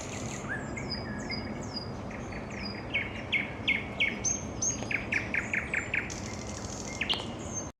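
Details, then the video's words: Nightingale song on an evening: varied phrases of high descending whistles, sharp chips and bursts of fast repeated notes, loud and rhythmic in the second half, with faint hiss behind. "Вечернее пение соловья"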